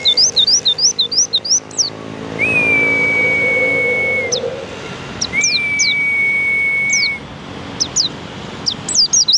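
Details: White-eye giving rapid, high, sharply descending chirps in quick runs, broken by two long, level whistled tones held about two seconds each, with faint background hum.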